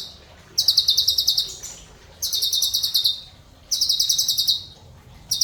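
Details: Black-crested bulbul used as a tutor for other songbirds, a species noted for mimicry: three bursts of rapid, dense, high chattering trill, each under a second, separated by short silent gaps.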